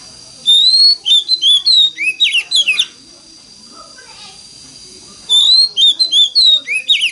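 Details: An Oriental magpie-robin uses its wild-forest voice in a lure song meant to start other magpie-robins singing: two bursts of rich, varied whistling with clear rising and falling slurs, split by a pause of about two seconds.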